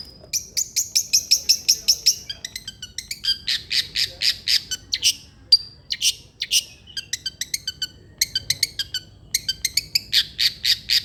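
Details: Long-tailed shrike song meant to spur a reluctant shrike into singing: rapid runs of harsh, scratchy, high notes in bursts of many strokes, broken by brief pauses, loud and continuous throughout.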